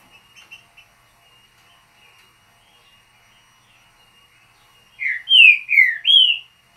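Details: Green-winged saltator, true trinca-ferro, in short mateiro style: after faint ticking, four loud clear whistles arrive near the end, slurred down and up in a brief phrase.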